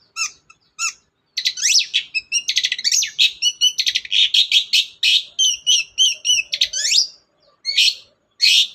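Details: Energetic long-tailed shrike song meant to provoke a reluctant bird into singing: a few isolated chips, then a long fast run of varied high, rattling and warbled notes, ending with separated harsh notes.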